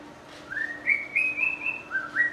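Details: White-rumped shama, a melodious, varied singer able to mimic other birds, gives a run of clear whistled notes stepping upward in pitch, ending with a brighter rising phrase over a steady low hum.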